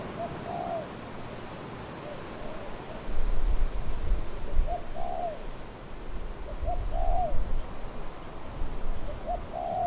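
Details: Dove cooing amid wind in trees: repeated soft coo phrases, each a short lead-in note followed by a longer rounded, slightly falling coo, over rumbling gusts.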